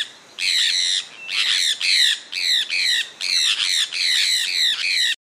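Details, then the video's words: A Sulphur-breasted Parakeet (Aratinga maculata), resident in Pará and Amapá, Brazil, gives harsh, grating screeches in quick bursts of two or three, with short pauses between bursts and little else heard. "O canto do cacaué"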